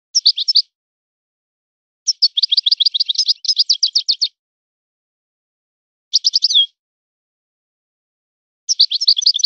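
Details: European goldfinch sings in a particular trained style: four bursts of rapid, high, liquid twittering, the longest lasting about two seconds, separated by silent pauses in a quiet setting.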